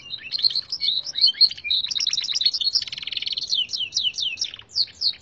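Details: A local Gloster canary contest entry, tutored on red siskin song, sings a fast, continuous, high-pitched run of chirps, quick rolling trills and rising whistled notes.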